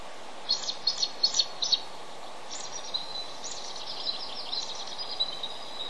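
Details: Male bald eagle incubating on the nest calls for his mate to relieve him: a fast series of high squeaky notes at first, then softer fading chitters, with a noisy hiss throughout.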